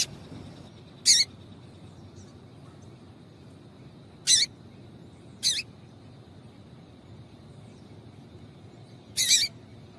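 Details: Female double-collared seedeater calling to stimulate a male. Four isolated, sharp high chirps are spread irregularly across the recording, the last one slightly doubled, with only faint hiss between them.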